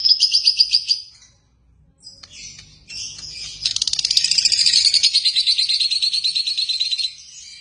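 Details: Pet lovebirds chirping, a burst of rapid high chirps followed by a pause, then scratchy notes and a long fast trill of sharp repeated chirps lasting about three seconds.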